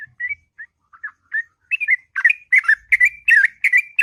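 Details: Sooty-headed bulbul in the morning, singing long, continuous 'ngropel' song: soft, spaced, whistled notes that build into a fast run of bubbly, liquid, rising-and-falling phrases repeated several times a second, with clear background.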